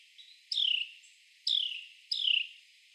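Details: Male Carolina wren clinging to and crawling on a tree trunk while catching insects, giving loud, sharp chirps that drop steeply in pitch, three in quick succession over three seconds, with faint background hiss.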